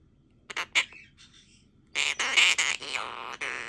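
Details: Pet monk parakeet singing a baby parakeet to sleep: two short sharp clicks, then a burst of harsh, buzzy chattering with grating, rasping notes, loud and continuous over the last couple of seconds.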